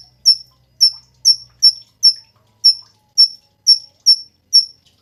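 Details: Cungkok song, used as a tutor recording for songbirds: sharp high whistled notes, each falling slightly, repeated about every half second, about ten notes, with faint low background hum.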